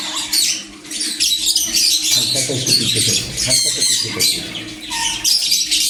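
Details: Harsh, scratchy squawks of a sun conure, repeated rapidly and overlapping, with a short grumbling lower sound partway through and a thin, steady low hum underneath.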